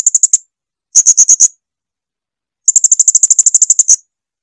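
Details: Blue-crowned hanging parrot, used as a training recording for cage birds: three bursts of very high, rapid, shrill ticking notes, the last a long run of about fifteen evenly spaced notes, with clear silence between.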